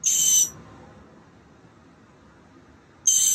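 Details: Nestling mockingbirds near fledging, 28 March 2022, day 15 of a nest project: a loud raspy, hissing burst at the start and another at the end, separated by nearly three seconds of faint background hum.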